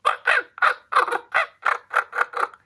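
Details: Common raven territorial chase call, given when one raven chases another out of its territory, though it may be given when a golden eagle flies through: a rapid run of about ten harsh, croaking notes, some doubled, roughly four per second.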